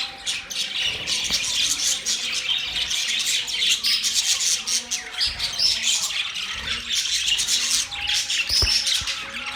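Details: Many birds chirping together on October 3, 2023, a steady wall of high, scratchy chatter and quick tweets that swells and dips in loudness without a break.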